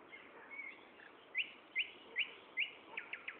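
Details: Afternoon song of a common nightingale at Gaasperzoom on 16 May 2012, 15:30: four loud, evenly spaced sharp whistled notes roughly every 0.4 seconds, followed by a quicker run of softer notes.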